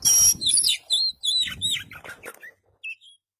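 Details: Oriental magpie-robin of the East Java white-breasted form, a kept songbird trained by tutoring, singing in the full 'isian' style: a harsh high burst, then quick varied whistled and chattering phrases, rising and falling, ending with short separate notes.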